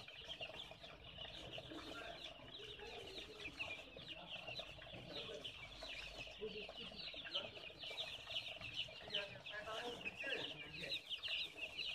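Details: Baby chickens peeping: a dense, continuous chorus of high, rapid, overlapping cheeps, with some lower, softer calls underneath throughout.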